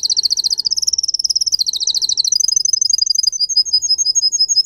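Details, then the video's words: Singer canary kept as a pet, song for training: very high fast trills that change tempo and pitch, followed by a slower series of sharp repeated chirps. "Canary song video - type of song"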